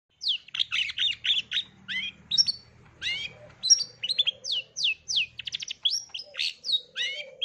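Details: Long-tailed shrike singing a full repertoire of varied sounds for young birds to learn: a fast run of sharp chirps, rising and falling whistled sweeps and buzzy notes, with short pauses between phrases and a faint low hum underneath.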